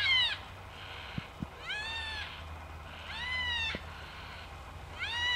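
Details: One of a group of Yellow-tailed Black-Cockatoos in bushland of Royal National Park behind Heathcote oval gives four drawn-out, wailing calls that rise then fall, about one every one and a half seconds, with faint knocks between.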